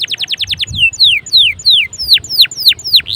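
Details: Canary in full song, used to get other canaries singing: a fast trill of high notes, then a slower run of about ten sharply down-slurred whistles repeated roughly four times a second.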